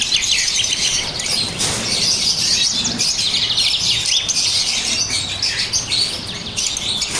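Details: Several pet lovebirds in Pakistan, blue and parblue opaline, keeping up dense, shrill twittering, about four quick chirps a second, steady and loud throughout.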